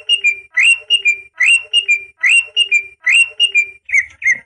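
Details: Song of the greater green leafbird, aimed at stimulating young birds: a rhythmic phrase of rising and falling whistles repeated about every two-thirds of a second, very regular.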